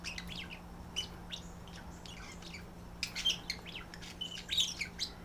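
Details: Two pet budgerigars, a male and a visiting female, calling to each other at night after being put up, flirting and trying to feed each other; quick chirps and warbling notes repeated in scattered bursts, with a steady low hum beneath.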